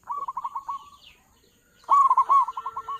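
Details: Big-voiced local zebra dove, a lure for catching doves: a soft run of rapid trilled coos, then a loud phrase of wavering, rolling coo notes that trail off into a fading trill.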